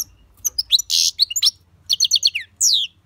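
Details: European goldfinch singing: a quick run of bright, high twittering notes, a harsh buzzy burst, then a fast series of tinkling chirps and a final descending slurred note, with a faint low hum underneath.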